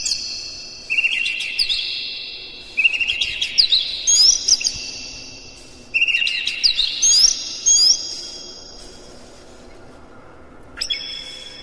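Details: Caged Oriental magpie-robin song used as a lure to rouse rival birds into fighting song; loud whistled phrases with sharp upslurred notes and trills, delivered in three clustered bursts, then a short high note near the end.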